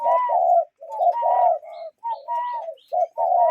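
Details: Cuckoos call in nature with dense low hoots in quick pairs. A second, higher bending note overlaps almost continuously, so several callers seem to be at work together.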